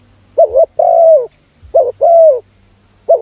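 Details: Spotted dove lure call for other doves: two full phrases and the start of a third, a brief quavering coo pair leading into a long, steady, slightly falling coo, with a faint low hum beneath.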